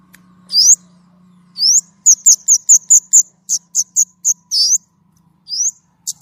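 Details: White-rumped shama singing actively in a clear voice: rising high whistles, then a quick series of about ten crisp, evenly spaced notes, then more rising slurs. A low hum sits underneath.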